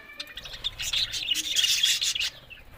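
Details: Talking budgerigars give a short, loud burst of tangled chirps and scratchy warbling that builds, peaks and then fades after about two seconds.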